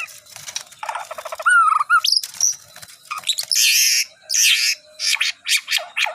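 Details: White-rumped shama being readied for a singing contest, delivering a loud varied song of rattling notes, a clear whistled slur, and harsh noisy bursts in quick succession.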